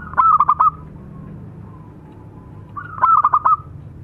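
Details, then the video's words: Local zebra dove, male and female, singing as a tutor recording: two short phrases of four to five rapid, mellow cooing notes, each clipped and rolling, separated by about two seconds of quiet with faint low background hum. "perkutut lokal masteran jantan dan betina manggung"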